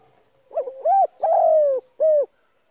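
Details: Single cooing phrase of a spotted dove, played so decoy birds start calling for trapping: broken opening note, rounded short coo, long falling coo, short end coo, faint hiss behind.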